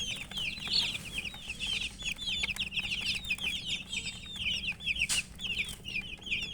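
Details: Thirsty baby chickens, coloured poultry chicks, cheep for water in a steady stream of rapid shrill peeps, many birds calling over one another, plus a brief broadband click or thump near the end.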